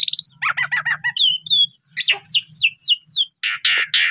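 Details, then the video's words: An Asian pied starling sings lively, used as a lure track to coax stressed or silent starlings into singing. It gives a rising whistle, rapid stacked chatter, a run of clear downslurred whistles, then harsh wheezy notes. "Jalak Suren Pundung 100% Gacor"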